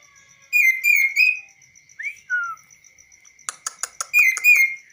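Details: Tame, hand-trained kaso-kaso bird singing on a person's hand outside its cage, voice clear and varied: bursts of rich buzzy whistled notes, a short rising slur and a falling one, then rapid clicking ticks and another buzzy phrase, over a steady faint tone.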